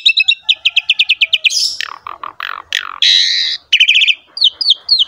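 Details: Singing Javan pied myna recorded to coax other mynas into song: a fast series of about ten sharp repeated chips, then slurred descending notes, a long buzzy rasp and quick rising whistles.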